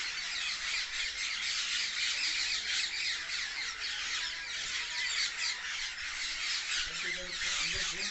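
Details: Many parrots in one tree making loud natural chirping, a steady stream of piercing, overlapping screeches from the flock, with a few faint low sounds near the end.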